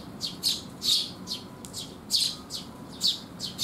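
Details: At a resting place in the rain, sparrows waiting to be fed, June 2021, utter sharp high chirps, about nine in three and a half seconds, loudness rising and falling.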